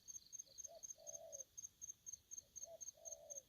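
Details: Aggressive spotted dove giving two matching phrases: a quiet short note, a brief coo, then a long level husky coo. Steady high-pitched ticking continues behind.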